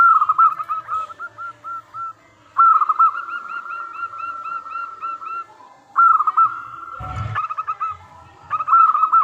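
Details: Local zebra dove singing vigorously, used as a lure to make other doves answer: runs of short hooked cooing notes with a clear tone, repeated in quick series with pauses between phrases, and a brief thump near the end.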